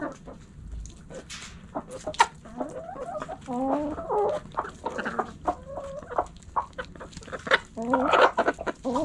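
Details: Backyard hens in a coop, clucking in short broken harmonic phrases, some rising and wavering, mixed with sharp clicks and scratching noises; several birds calling at once.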